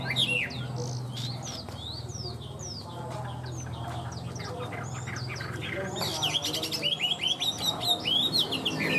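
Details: A captive, tame Chinese hwamei in full song, a rich, fast run of varied whistled notes, slurred up and down and repeated in quick phrases, over a low steady hum.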